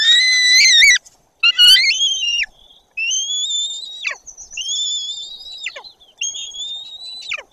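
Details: White-tailed eagles at a nest in Bory Tucholskie, Poland, as the adult Tula arrives and the younger one does not react: two quick shrill trembling yelps, then four long high whistles each ending in a sharp downward slide.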